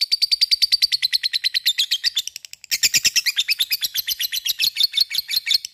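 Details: A lovebird chatters in a long, rapid, fighting-style run of high, shrill chirps, about seven a second, pausing briefly before starting again even harder.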